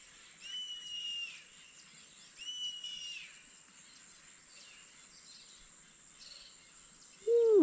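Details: A Yellow-headed Caracara perched high in a tree by a tropical river on the Osa Peninsula, Costa Rica, gives two thin, high, wheezy screeches about two seconds apart; a person's voice begins at the end.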